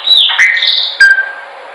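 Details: Chopi blackbird song for training, a brief piece of two or three bright whistled notes, with a high note falling, then a lower steady whistle that fades.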